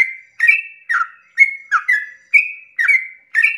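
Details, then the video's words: At dawn, a yellow-vented bulbul gives the long 'ropel' song used to rouse other bulbuls: liquid whistled notes, some rising and some sliding down, strung together at a lively, slightly irregular pace. "pancingan trucukan ropel panjang subuh pagi hari merangsang emosi trucuk lain agar ikut bunyi Ropel"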